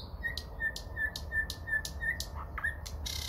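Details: Common nightingale near Moscow, early May, repeating one clear, level whistled note about eight times at a steady pace, each note paired with a soft click, closing with a short downward slur.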